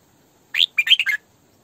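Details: Female Red-whiskered bulbul kept as a decoy bird, singing in the full 'sổ bọng' style: a quick burst of five bright, slurred whistled notes, rising then falling, lasting under a second against a quiet background.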